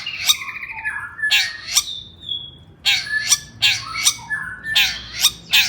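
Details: Agitated long-tailed shrike (cendet) song used as a lure to set other shrikes singing: loud harsh scratchy bursts alternating with whistled, warbling phrases and one thin sustained whistle, roughly every half second.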